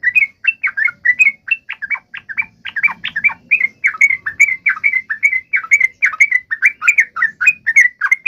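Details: Yellow-vented bulbul call meant to provoke a fighting response: rapid run of short, bubbly chirps around mid-high pitch, each with a quick bent or rising note, packed several per second with no pause; faint low rumble beneath.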